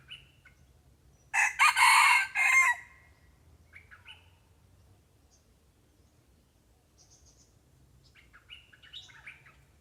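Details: Red junglefowl lured with a decoy bird: one loud, harsh crow of about one and a half seconds, broken into three rough segments, followed by quiet, scattered chirps from small birds against a low background hum.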